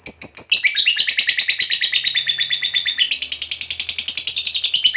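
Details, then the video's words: Lovebird fighter's 'ngekek panjang' long chatter, meant to provoke other lovebirds: a few separate high chirps, then a dense, buzzy, fast trill that climbs slightly and runs on without a break. "Pancingan Suara Lovebird Ngekek Panjang"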